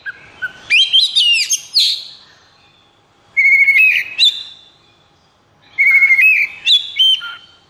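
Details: White-rumped shama in high breeding condition, kept caged, repeats three bursts of song, each a few steady whistled notes rising into fast rich warbling, spaced about two to three seconds apart.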